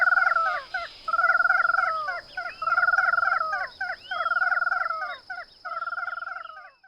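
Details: An ash-throated crake in Brazil gives harsh, rhythmic, slightly descending phrases of rapid notes, repeated about once a second, over a steady high insect hum.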